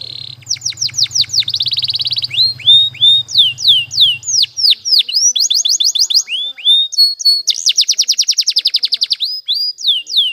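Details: Canary song for training: fast sequences of rising and falling whistled notes, rapid trills and rolled buzzy phrases, with a steady low hum during the first four seconds.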